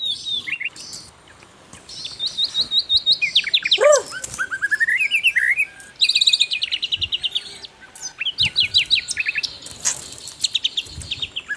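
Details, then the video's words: Asian brown flycatcher song on a tutor track for cage birds: high chattering runs, downward-sweeping notes, and rising chains of chirps in repeated bursts, separated by brief pauses. "MASTERAN BURUNG SIKATAN LONDO GACOR"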